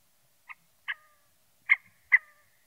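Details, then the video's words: Scaled quail, a bluish-grey quail of arid regions from the southwestern United States to central Mexico, giving four short nasal notes with a trailing tone, in two pairs about one second apart, over a quiet background. "Colim-escamoso (Callipepla squamata)"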